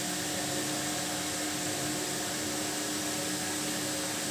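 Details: Constant broadband whooshing like a vacuum cleaner or fan, with a low steady tone and no animal voice.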